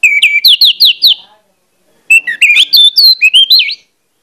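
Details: Provoking song of an orange-headed thrush: a run of five evenly spaced repeated whistled notes, a pause, then a lively phrase of rising and falling slurred whistles.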